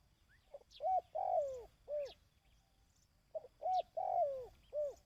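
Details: Dove calling for decoy-bird training. Two clear phrases of rounded low coos, each built around one long downward-sliding note and a closing short coo. Faint high chirps of other birds sound in between.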